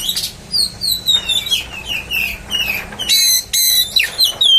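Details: Oriental magpie-robin lure song for provoking other magpie-robins: continuous varied whistling with downslurred and upslurred notes, becoming louder and denser with strong harmonic bursts in the final second and a half.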